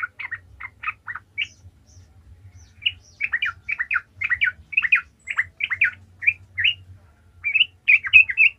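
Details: Yellow-vented Bulbul singing energetically in 'gacor ngalas' style, meant to provoke other trucukan into song: steady stream of short, bubbly, liquid notes and chattering phrases with little pause throughout.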